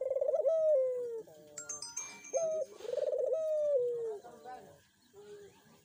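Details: Dove calling, offered as a lure to coax a quiet dove into voicing: a steady mid-pitched coo, then a stuttering rolled coo sliding downward, repeated, with a brief higher chirp and faint background noise.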